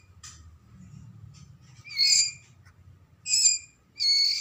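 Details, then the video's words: Young Medan-type white-rumped shama in Lamongan, East Java, making three loud scratchy high calls in the second half after a low murmur of background noise. "Anakan Murai Batu Medan"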